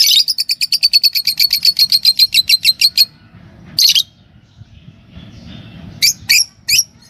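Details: A green Fischer's lovebird of a pair giving a rapid run of about twenty sharp, high chirps over three seconds, then a few louder, shriller chirps after a pause.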